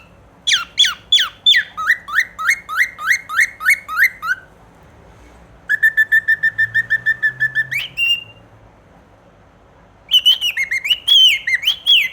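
A cockatiel sings in bursts of rapid, repeated whistled notes, sliding downward, then steady and warbling.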